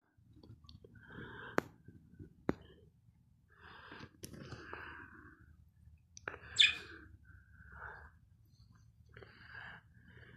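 Budgerigars chatter softly in scratchy, warbling bursts mixed with sharp clicks.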